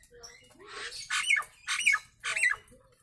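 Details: Nias hill myna, recorded as a tutor for other mynas: a faint low rising note leads into three loud, raspy squawks, each with a brief clear whistle, about half a second apart.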